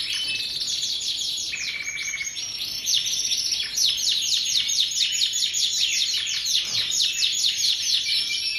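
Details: Domestic canary, a long-duration singing bird in thin-feather condition, AOB 23 type; continuous fast high trilling and chirping song with rapid repeated notes, a steady whistled rolling phrase near the start, faint talk afterward.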